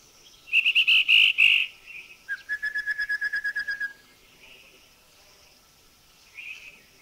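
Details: Rufous-fronted babbler: first a grating churring call of four harsh bursts, then a fast hooting whistle of about a dozen even notes on one pitch; recorded in a Thai national park (Khao Yai, Doi Intanon, Doi Suthep-Pui or Chae Son).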